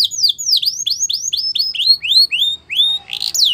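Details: Canary performing a slow tour of clear whistled notes, each swooping down then up, repeated roughly three times a second, ending in a brief rising buzz.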